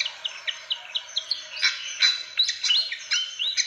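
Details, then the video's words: Fantail sound used as a lure to attract birds: a run of short, evenly spaced chirps, about four a second, giving way to looser whistled and upslurred notes over a busy high twittering background. "SUARA PIKAT BURUNG KIPASAN SIKATAN"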